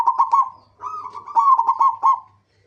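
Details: A local zebra dove, played as a lure to set other zebra doves singing, delivers a clear run of rapid, bubbling coo notes, stuttered at first, then a pause and a rhythmic series of pulsed, trilling coos.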